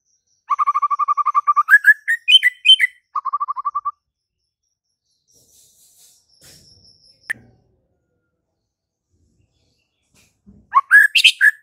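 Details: White-rumped shama song opening with a long rapid trill that breaks into varied higher whistles and a second short trill, then near silence with faint sounds and a click, and a burst of tumbling whistles at the end.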